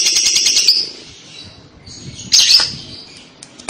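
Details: Lovebird calls meant to lure young lovebirds into answering. A rapid scratchy chatter fades out, then a single loud shrill squawk sounds, followed by faint clicks.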